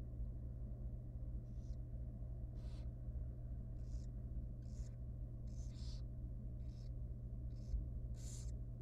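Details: Wild barn owl nestling, very young, in a monitored nest box at feeding time, giving short hissing, breathy bursts about every half second to second, over a steady low electrical hum.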